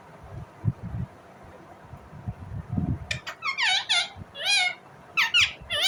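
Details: After three seconds of quiet indoor rustling, an Indian ringneck parrot bursts into fast, harsh, wavering chirps in tight clusters lasting to the end.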